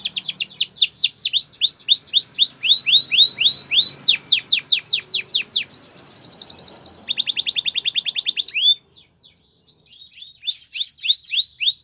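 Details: Training song for canaries, sung by a canary: a long varied sequence of rapid repeated downward sweeps, changing to a tight rattling trill, then buzzy rolls, a brief near-silent gap, and renewed swept whistles.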